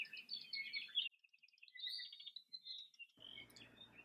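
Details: Endangered Hawaii creeper (alawi) on Puakala Road in Hakalau Forest National Wildlife Refuge, upper-elevation forest on Hawaii Island: high, thin chips and short twittering notes, busy chatter at the start and a scuffing low rustle near the end.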